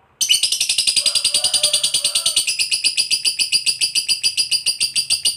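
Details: Lovebird giving the long ngekek trill used to provoke other lovebirds into answering: after a short silence, an abrupt, piercing, rapidly pulsed chatter starts and holds at an even pace for five seconds.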